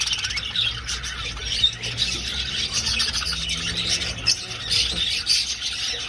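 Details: Budgerigars flying in an old aviary where they are bred. A dense, continuous chatter of high squawks and chirps from many birds, with no pauses and a low background rumble.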